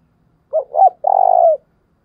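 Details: Spotted dove kept as a caller bird, giving the 'thúc bổi' call to lure wild doves. Two brief hoots lead into a single drawn-out, trilling coo, with nothing else heard.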